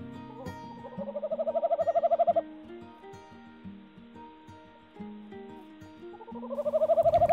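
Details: In late February in the Yorkshire Wolds (2021), a male Tawny Owl at a new nest calls for his mate with two soft, ocarina-like trilled hoots that rise then hold; the female may answer faintly; gentle music plays.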